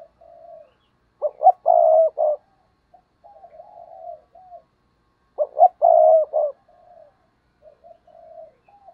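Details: Spotted dove kept as a decoy, cooing to rouse wild doves; two loud, rough, stuttered coo phrases arrive about four seconds apart, each trailed by quieter, smoother, sliding coo notes, in a silent background.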